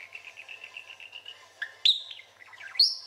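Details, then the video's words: Pet parakeet in its usual chatty, trilly mood: a soft run of rapid warbled chatter holding a steady pitch, then two sharp, loud whistled notes that sweep up and drop, with bubbly twitters between them. "Chatting and Trilling"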